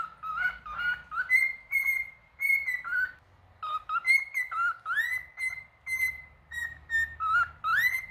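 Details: Continuous whistling from a singing male cockatiel: a rapid mix of low wobbly notes, long level tones, and upward-swooping whistles, repeated more than twice per second, over faint low background noise.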